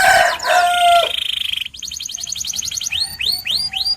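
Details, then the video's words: White canary singing: lower harmonic notes first, then a quick high trill, then loud rising swept whistles repeated about every half second. "The Best White Canary's Singing"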